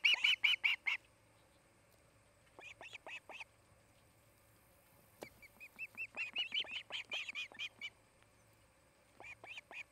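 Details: Osprey calling at a nest near Charlo, Montana, on 8 August 2018, nest-camera recording; bursts of rapid, high piping chirps separated by short silences, one sharp click midway, the longest run building in loudness, steady hum beneath.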